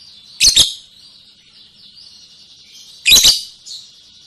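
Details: Lovebird ngekek song: two loud harsh chattering bursts about two and a half seconds apart, with a steady high thin trill running between them.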